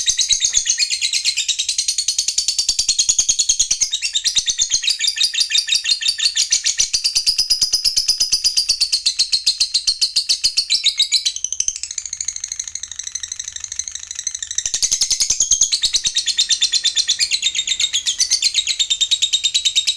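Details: A 'fighter'-type lovebird gives its prized long 'ngekek' song, a long, rapid, high-pitched chattering of shrill chirps and trills, played to stimulate silent lovebirds into singing.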